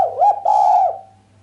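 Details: A female island collared dove's keen coo with no 'kuk' ending, which is said to get the male worked up; a brief wavering note runs straight into a long, level, buzzy coo that fades smoothly away.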